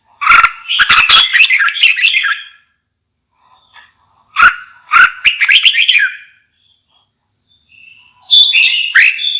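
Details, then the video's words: Red-whiskered bulbul singing long runs of rapid, cheerful warbled notes in three bouts, with sharp knocking clicks at the start of each run. "TIẾNG CHIM CHÀO MÀO"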